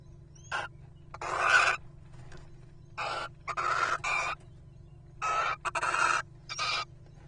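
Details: Little owl pair dropping in with a rodent: harsh, hissing screeches in bursts of about half a second to a second, several in a row, over a steady low hum.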